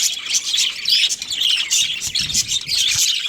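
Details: Budgerigar breeding pair chirping: fast, bright warbled twitters and squeaks packed closely together, with a faint low thump in the background near the end.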